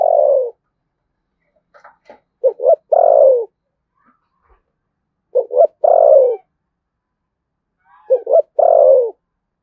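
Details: Cu gáy, the spotted dove, in the thổ sấm voice style, Đồng Nai, Vietnam: three phrases about three seconds apart, each a pair of clipped notes leading into a deep, descending, sustained coo.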